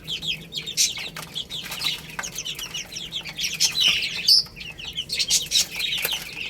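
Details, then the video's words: Baby chickens chirping while eating rice and playing: a dense chorus of high, short overlapping peeps with occasional louder bursts and scattered wing-flapping or scuffling noises. "Beautiful Chicks Chirping Sounds"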